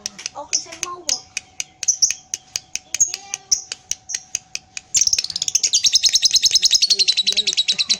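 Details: Pied lovebird, tail moving, opens with spaced sharp clicks and short chirps, then breaks into a sustained, rapid, high-pitched rattling ngekek for the last three seconds.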